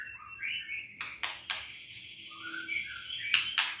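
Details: Caged white-rumped shama singing to provoke lazy, quiet birds into song: whistled notes and slurred phrases around the upper-middle range, broken by sharp broadband clicks and rasps, with a long sustained whistle across the middle.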